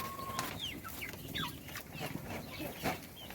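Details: Little chicks at feeding utter a few clear, high, downslurred peeps spaced irregularly, with a steady low hum, a brief thin tone early on and light clicks.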